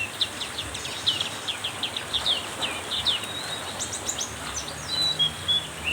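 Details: During pouring rain, a black-capped white-eye sings vigorously: a continuous chatter of quick, high, thin chirped notes, ending with a few longer slurred whistles, against constant rain noise.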